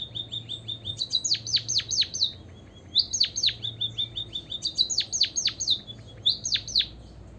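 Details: White-headed munia (emprit kaji) song played to make other birds join in: three bursts of high, rapid ticking notes, each flowing into sharp descending whistled slurs.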